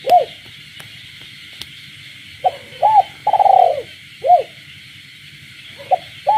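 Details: Captive spotted dove at night in the village countryside, frogs calling too: a lone coo, a pause of two seconds, then a full phrase of hooked coos around a long purring note, with a steady shrill chorus and faint clicks.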